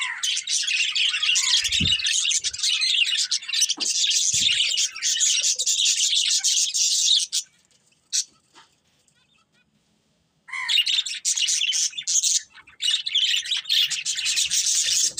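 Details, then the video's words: Budgerigars in continuous high, scratchy chirping chatter, with a few low thumps, falling silent for about three seconds before the busy twittering starts again. "Cute Budgies Chirping Sounds"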